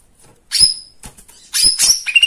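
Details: Lesser green leafbird, a recording meant to stir other birds to sing: harsh scratchy bursts with high whistled accents, a pause with softer rasping notes, then more loud buzzy bursts ending in a short rising trill.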